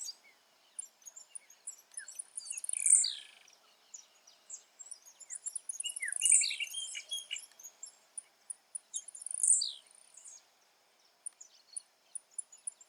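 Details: Three buzzy, very high song bursts, each about three to four seconds apart, from a wild blue-black grassquit in natural habitat. Softer chirps and rhythmic ticks of other birds sound throughout.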